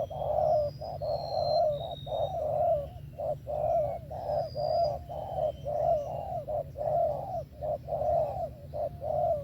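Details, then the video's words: Spotted dove singing in the Vietnamese 'thổ' style with 'tàng' notes: mellow, low coos in steady phrases, roughly one note per second, with faint high thin whistles from other birds and a constant low hum. "SẤM THỔ TỐT TIẾNG VỀ TÀNG KÈM 123"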